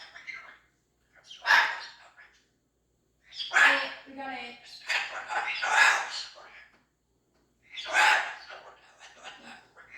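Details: Pet cockatoo, female, kept indoors, making strange noises: four bursts of harsh, raspy squawking and gurgling chatter, each lasting about a second or two, separated by short silences.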